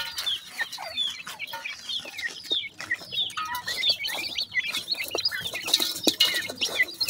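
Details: Grey francolin (teetar) chicks feeding, calling in a dense, continuous stream of high, thin peeps and short downslurred chirps that overlap throughout, with scattered clicks and scratching sounds.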